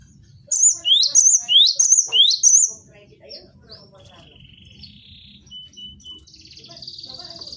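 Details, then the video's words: Gelatik batu, the cinereous tit, giving 'bongkar isian' training song for cage birds. Five fast, ringing rising-trill phrases come in quick succession, followed by quieter thin whistles and a soft buzzy tone. "MASTERAN GELATIK BATU BONGKAR ISIAN vol.01"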